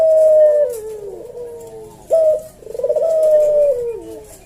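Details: Javanese puter dove, a caged Barbary dove, singing its slow senggang style 'kuk deruk' coo for use as a tutor and lure: a sharp opening note, then a long, slightly falling purr, repeated twice.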